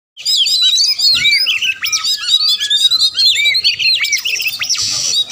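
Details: Oriental magpie-robin song meant to push other magpie-robins to sing and fight: a dense, loud run of varied high whistles, sharp upslurs and quick chattering notes, with few pauses.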